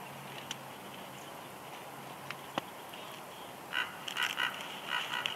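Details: Female bald eagle on her nest at Big Bear Lake, California, 6 March 2021, whining softly as her mate brings a headless fish; thin, high, stuttering notes cluster in the final two seconds over steady background hiss.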